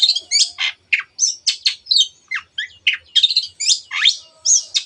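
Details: Long-tailed shrike in full, excited song, used to get other birds singing: a dense, varied stream of harsh, scratchy and squeaky notes with quick upward and downward slurs, barely pausing.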